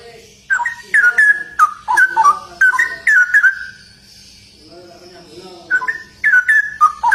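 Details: Straw-headed bulbul (cucak rowo) singing in the lively, rapid 'ropel' style: loud, rich whistled phrases bubbling around a steady pitch in two bursts separated by a quiet pause with faint lower warbling.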